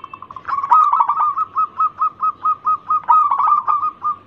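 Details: Local zebra dove singing as a lure: a brief rolling opening, then about ten evenly spaced, clipped cooing notes, with a second rolling flourish midway.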